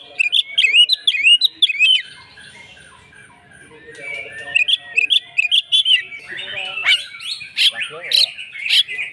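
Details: Persistent fighting song of an Oriental magpie-robin answering another bird: fast whistled phrases, a softer quieter middle section with low notes, then loud harsh scratchy bursts and high whistles together.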